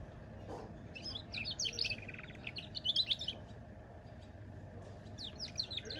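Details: Goldfinch × canary hybrid giving chattering, twittering song phrases with bright chirps and trills in bursts, pausing between them, against a quiet low hum.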